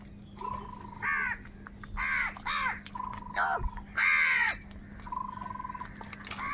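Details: Crows fighting for food give loud, harsh caws in an uneven run, with repeated thin, level whistled tones between them and a low steady hum throughout.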